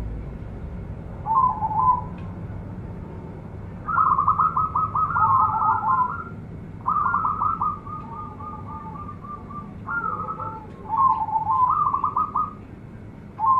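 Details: Local zebra dove known for a big, luxurious voice, singing softer, lower trilled coos in several rolling phrases. Each bubbling run of rapid pulses lasts one to two seconds, with low hum underneath.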